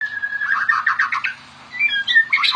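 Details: White-rumped shama (murai batu) in full, energetic song, used as a master recording for training other shamas: a long steady whistle, then a fast jumble of varied warbled notes, a short pause, and bright rising and falling whistles.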